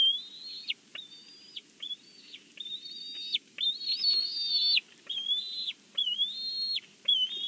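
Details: At its Big Bear nest, watched by a live camera, a bald eagle gives a busy sequence of high whistles, some rising, some wavering, with short gaps between notes.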